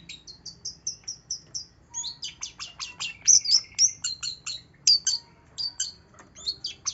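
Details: Long-tailed shrike song played as a lure for a shrike that will not sing: quick series of high, thin notes, then a varied rush of chirps, trills and whistled slurs with short pauses between phrases.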